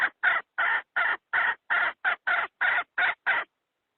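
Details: A hen's lure call used for trapping wild chickens: eleven short, nasal clucks at roughly three per second, then silence.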